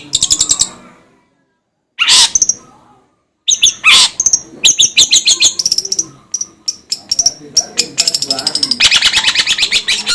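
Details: Long-tailed shrike (cendet) song for training birds: loud scratchy bursts separated by silent gaps, then a busy run of rapid harsh chips and rasps, ending in a dense chattering phrase.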